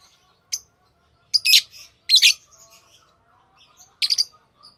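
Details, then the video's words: Lovebird chirps arrive as scattered shrill, raspy bursts with quiet gaps between them, plus a faint background twitter. "Love birds Sounds | lovebirds chirping sounds| parrot beautiful sounds"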